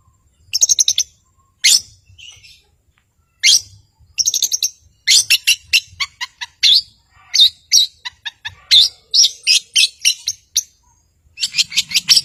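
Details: Caged long-tailed shrike used to trigger singing in quiet birds, delivering a long stream of rapid high trills, chips and rasping notes with short gaps between phrases.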